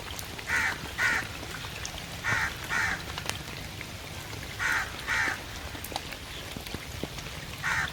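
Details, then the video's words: Crow calling during rain, giving harsh caws in paired bursts roughly every two seconds, eight in all, against constant patter of rain and scattered drip ticks. "CROW CALLING IN RAIN"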